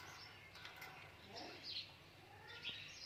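A ringneck parrot gives short, high, harsh chirps and squawks, two sharper notes standing out near the end, with faint chatter and a soft room background.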